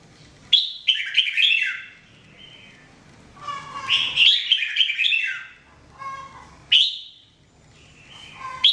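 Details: Red-whiskered bulbul (jambul) kept for song training, delivering rich warbling phrases of slurred whistled notes, a sharp descending note opening each burst, with soft lower tones between phrases and quiet background hum.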